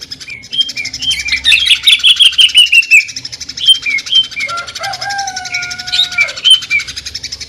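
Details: Cucak ijo (greater green leafbird) delivering 'mesin jahit' sewing-machine song: a fast run of bright chirps, then scattered whistles, with a long, lower, steady whistled note near the middle, all over a continuous rapid buzz.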